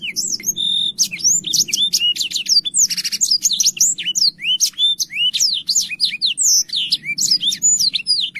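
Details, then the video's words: Black-throated canary singing vigorously with a clear voice: a fast, unbroken stream of high, sweet whistles, chips and slurred notes, with a brief buzzy rattle partway through; used as a song tutor for young canaries. "BLACKTHROAT GACOR SUARA JERNIH"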